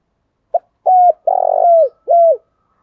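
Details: Spotted dove in the morning, a 'thổ đặc' voice-style coo meant to prompt caged doves to call along: a brief soft note, then a smooth low coo, a longer throbbing trilled coo, and a final falling coo, in a quiet background.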